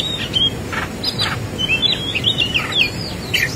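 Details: Fighting song of an Oriental magpie-robin, full of varied fill phrases: quick whistled slurs and chirps mixed with short harsh notes, delivered without pause over faint low rumble.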